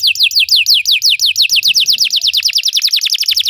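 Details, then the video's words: Belgian canary song built from a rapid, even run of bright downward-sweeping notes, about seven or eight per second, sustained throughout. "Belgian canary singing makes your canary sing"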